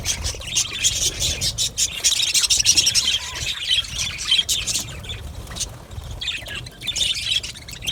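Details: Budgerigars in an aviary colony: a dense, continuous wash of high chirps, squeaks and warbles from many birds overlapping, with a few clearer whistled notes near the middle and short pauses in the chorus.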